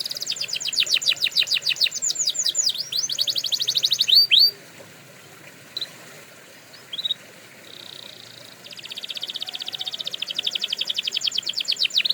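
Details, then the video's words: Canary in a training recording: a rapid rolling trill of sweeping notes, then a quiet stretch with a few isolated chips, before another long fast trill builds up. "Canary Owners Love This Trick – Endless Singing Guaranteed!"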